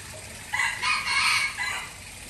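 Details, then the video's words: Junglefowl from Aceh, used as a lure to attract wild birds: a single crow of about one and a half seconds, with a short rising opening, a loud harmonic middle section and a trailing final note, over faint background hiss. "Ayam Hutan Aceh # Pikat"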